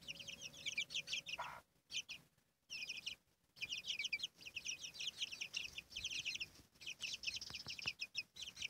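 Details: Chicks with their mother hen: a busy stream of thin, high, descending peeps from numerous chicks, pausing briefly twice, with a single short hen cluck near the start.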